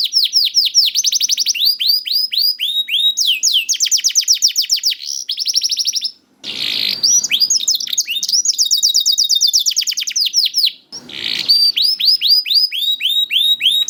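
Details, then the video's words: Lively young canary (kenari paud) song for prompting quiet canaries to sing: long varied trills of rapid descending notes and whistled sweeps, broken by two short bursts of broadband noise. "PANCINGAN KENARI PAUD TERBUKTI AMPUH MEMANCING KENARI SUSAH BUNYI IKUT GACOR"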